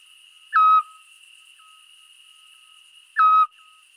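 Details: A Eurasian scops owl (Otus scops) on 5 April 2019 in the Scrivia valley, Alessandria, Italy, calling at nightfall: two short, soft, mellow whistled "chiù" notes about 2.5 seconds apart, over a steady high insect drone.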